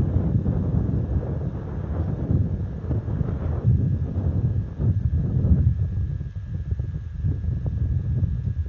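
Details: Gusty low wind buffeting a microphone at night, surging and easing in waves, with a faint steady hum and no calls.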